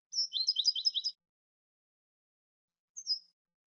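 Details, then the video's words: European goldfinch on a song recording: a one-second burst of fast, tinkling, twittered notes, then a pause and a single thin descending tweet; silent background. "cante de jilguero"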